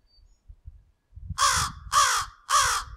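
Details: An American crow in North America gives its common call, a loud series of three harsh caws about half a second apart, after a moment of faint low rumble.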